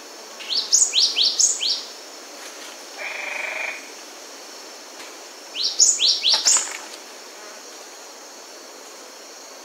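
Cinereous tit sings two quick bursts of sharp, high, ringing notes, four or five per burst, with a brief buzzy rasp between them.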